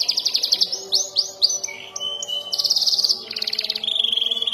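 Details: A young canary learning long rolls and piercing bursts gives quick pulsed trills and sweeping slurs, a level buzzy note, then a dense fast chatter and another steady roll.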